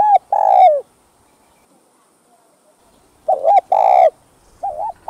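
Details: Spotted dove cooing, used to lure and stimulate other doves: low mellow coos, a long rolling phrase, then after a pause a short double note, a drawn-out coo and a brief wavering ending.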